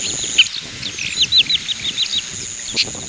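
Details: Oriental pratincole giving a quick run of clipped, downward-slurred chirps, about eight in under two seconds, then a pause, with a constant thin high whine behind them.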